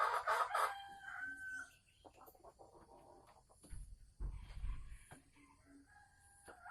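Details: Sumatran red junglefowl hen in a cage, cackling as she prepares to lay, 24 December 2020: a loud, harsh cry opens, followed by softer, scattered clucks and low thumps.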